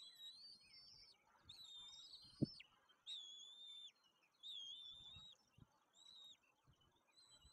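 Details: Two rapidly growing white-tailed eagle chicks at a nest at Woziwoda, Poland, at feeding time on 9 May 2024, being fed by a parent: thin, high whistled calls, each about a second long and slightly wavering, repeated every second or so; a single dull knock early on.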